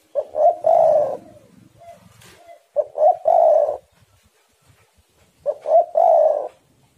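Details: Spotted doves sing in a heated exchange, recorded to lure other doves into song. Three phrases roughly every 2.7 seconds, each of short quick notes and a long coarse coo; soft short notes fill the pauses.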